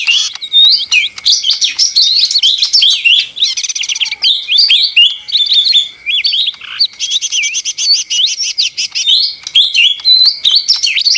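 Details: Continuous lesser green leafbird song, rich and noisy, packed with quick high chirps, curling whistles and rattling trills with hardly a pause for over ten seconds.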